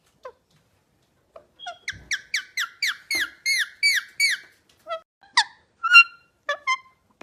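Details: Parrot vocalizing: a run of loud, harmonic squawk-like notes, each bending downward, repeated about three per second, followed by scattered higher, sharper single notes and short pauses.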